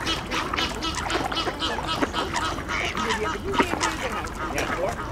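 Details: Mallard ducks in a winter feeding frenzy at a nearly closed ice hole, jostling over spread bird seed among Eurasian coots and swans; a dense, overlapping din of harsh quacks and chatter with splashing and wingbeats throughout.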